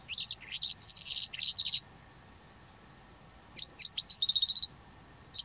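A Calandra lark sings two fast bursts of rich, jangling, scratchy notes mixed with bright whistles, separated by a short pause.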